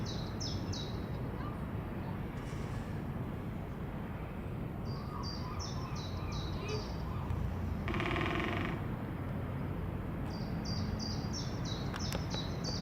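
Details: Great spotted woodpecker, Leiderdorp, the Netherlands: three separate bursts of sharp, high, clicking notes in fast series, broken by a brief loud rushing noise and set against continuous low-frequency background rumble.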